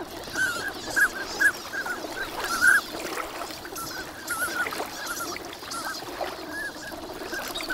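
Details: Numerous winter migrant ducks at Lake Inawashiro's Nagahama shore call through a fine morning: irregular short whistled notes, a few loud piercing ones in the first seconds, then quieter chatter over lake background.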